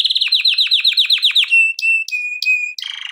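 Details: Male canary singing as a training recording: quick descending repeated notes in a fast trill, then a long pure whistle cut by high clicks, ending in a buzzy low roll.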